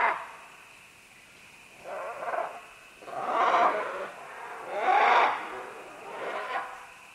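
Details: Several green-winged macaws give harsh, raspy squawks as they descend along vines, four loud calls about a second and a half apart, over a faint background hiss; finding: Green-winged macaw.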